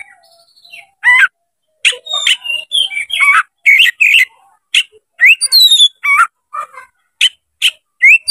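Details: Oriental magpie-robin singing with its tail spread to provoke another male into fighting: energetic, varied stream of warbles, slurred whistles and sharp chips, with a run of high ringing whistles midway.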